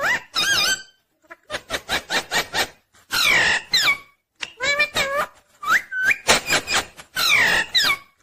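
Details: Rose-ringed parakeet, called ringneck green parrot, making loud harsh squawks and chatter in quick bursts, mixed with twisting whistled notes that rise and fall, repeated in clusters over several seconds.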